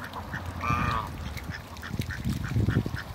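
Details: Newly arrived pair of Mallard ducks in a backyard among other waterbirds; one loud drawn-out nasal quack, then a series of soft, evenly spaced short notes over scuffling and water sounds.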